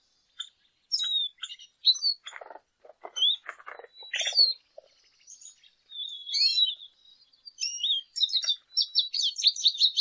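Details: Lesser goldfinch (Spinus psaltria) delivering high twittering and whistled song phrases in short bursts, with lower clicking and rustling sounds early on, ending in a rapid run of jumbled chattering notes.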